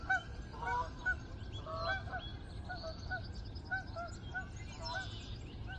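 A flock of geese passes over, giving many overlapping nasal honks in quick, irregular bursts above a steady low rumble of wind.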